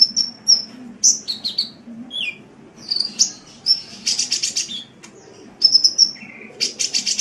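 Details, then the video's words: Sunbird singing as a tutor recording for songbirds, mixing high steady whistles, short twittering runs, a lower slurred note, and dense buzzy rattles. "Suara Burung Kolibri"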